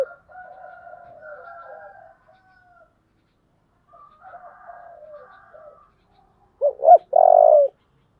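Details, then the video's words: Spotted dove giving its 'giọng thổ' style song: soft, distant-sounding coo phrases for several seconds, then a loud phrase of two short rising coos and a long buzzy note. "cu gáy giọng thổ"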